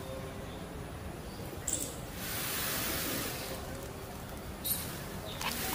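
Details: A displaying Indian peafowl courting a peahen shivers its raised train in one sustained, hissing rustle lasting about a second, with a few soft clicks before and after over a low background rumble.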